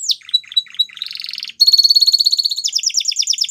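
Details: Waterslager canary singing: a quick run of short chirps, then a buzzy rolling trill, then a fast high twittering series of repeated notes; no other sounds.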